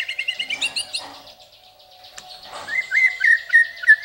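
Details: White-rumped shama song in masteran style: quick bright twittering notes, a quiet stretch, then a run of rising whistled notes repeated several times, with a faint steady hum beneath.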